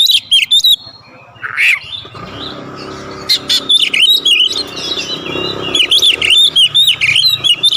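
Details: Kept white-rumped shama (kacer) in full song with mimicked phrases, used as a master recording; loud, high, sharp whistled notes and rapid chirpy bursts with varied fast phrases and brief pauses, a low hum beneath.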